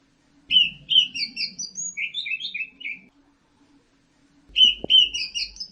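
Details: Orange-headed thrush song of rapid repeated whistled notes in quick succession, then a renewed phrase after a pause, with a low murmur and a sharp knock in the background.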